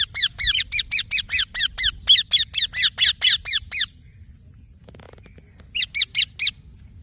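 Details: Indian ringneck parakeet: a long string of about fourteen steady, shrill chirps, then a pause and a final burst of four, with a faint high tone in the background.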